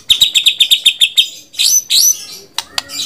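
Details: White-rumped shama singing a rapid series of about ten identical high chipping notes, followed by a couple of rising whistled sweeps and sharp clicks.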